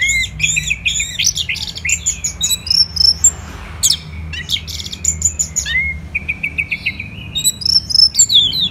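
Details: Orange-headed thrush, a Bali songbird, in a varied run of sharp chirps, quick slurred whistles and short rattling phrases, nearly continuous for several seconds over a steady low background hum.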